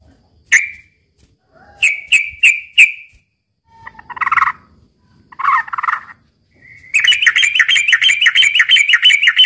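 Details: ['Yellow-vented bulbul fighting song, used as a lure for young birds, heard at midday: bright chirped notes near mid pitch, a quick run of four, buzzy bursts, then a rapid rattling chatter.']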